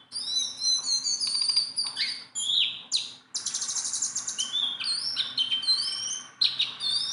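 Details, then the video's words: Sunda bulbul, a very tame bird that can be handled, pouring out a continuous, busy song of high slurred whistles, rapid trills and sharp chirps with almost no pauses. "BURUNG JONGKANGAN GACOR TELER JINAK PETETAN"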